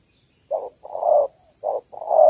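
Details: Female spotted dove calling to rouse males: two short-then-long coo pairs, mellow and low, the long notes slightly rolling and swelling at the end.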